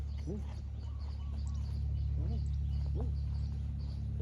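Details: Spotted dove trading calls with a rival wild dove that has a small voice, the two answering each other in turn. Low, arched coo notes repeat in groups over steady hum and faint higher chirps from other birds.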